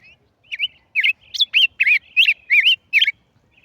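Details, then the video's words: Singing tigrillo: a lively series of around eight clear, twisting whistled notes in fairly even succession, each a quick looping slur, with nothing else audible. "tigerillo cantando"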